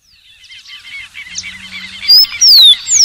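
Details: Rufous-collared sparrow whistles loud, pure descending slurred notes in the final second, after a soft rising chorus of twittering birds in the background.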